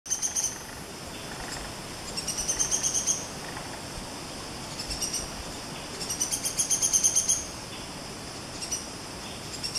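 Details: Buff-rumped woodpecker in Malaysian rainforest giving repeated bursts of rapid, very high, thin notes, each burst lasting about a second, with shorter fragments between and a faint insect hiss behind.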